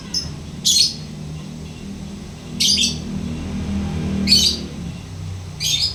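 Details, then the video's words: Lovebird sounding four harsh, high chirp bursts spaced roughly two seconds apart against faint low background noise. "Lovebird rajin ngekek...."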